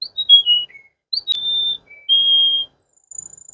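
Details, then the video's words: Water canary song: one falling whistled phrase, then long steady pure whistles held at one pitch, a sharp click, and a thin very high whistle at the end. "water canary"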